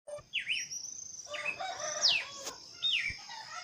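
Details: Birdsong: clear high whistled notes, a sharp up-and-down slur opening, then a long thin whistle and steep descending slurs near the end, spaced irregularly, over faint low background noise and a brief click.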